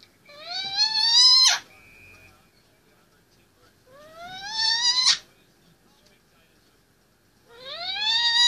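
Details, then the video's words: Pet Indian ringneck parakeet, a male 18 months old, vocalizing from his play stand; three loud, drawn-out rising whistles, each climbing for over a second and ending abruptly, separated by long quiet pauses in a small room. "Indy 18mths old loves to talk on top of his play s"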